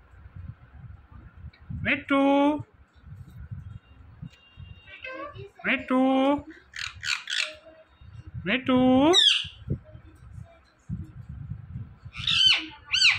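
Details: Indian ringneck parakeet mimicking speech, "Mitthu Mitthu": three separate harmonic spoken-sounding words and a few sharp, high squawky notes, with quiet gaps between them.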